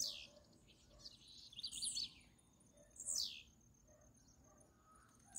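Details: Blue-black grassquit, a free bird disputing with a caged one, gives thin high buzzy phrases: a descending sweep, a jittery cluster of notes, then another loud downslurred buzz, with quiet hiss behind.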